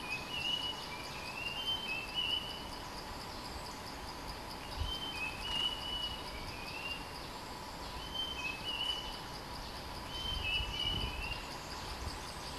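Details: Bulbul used as a decoy, described as a fierce territory holder. Short bubbly chirping phrases in clusters of two or three notes, repeated every two to three seconds over steady insect drone and a continuous hum.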